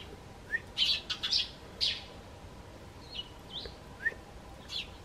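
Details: Eurasian tree sparrows in a home garden, hopping onto the bench to call to the homeowner: a few loud grouped chirps, then softer scattered single tweets and thin slurred notes.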